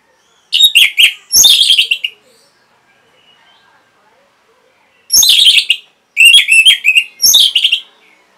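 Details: Orange-headed thrush (anis merah) kept in a cage, its song played to train and rouse other birds to sing: short bursts of loud, rich, warbled chirping phrases separated by silent pauses of about three seconds.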